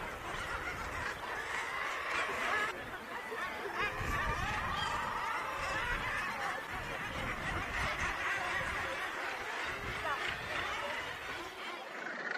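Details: Black-legged kittiwakes (Rissa tridactyla) at a Helgoland colony with chicks, June 2021, calling in a dense, overlapping chorus of nasal, cackling notes, about four a second, with constant colony babble and low rumbling behind.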